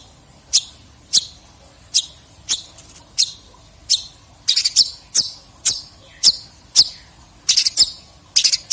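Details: Long-tailed shrike in 2022, a recording of song material for tutoring other birds: sharp, scratchy single notes spaced about half a second apart, some doubled into quick harsh pairs.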